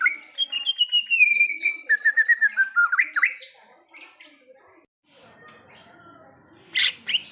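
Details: Wild greater green leafbird delivering a long descending whistled trill that breaks into fast, looping slurred notes, followed by near quiet and a couple of loud final squeaks.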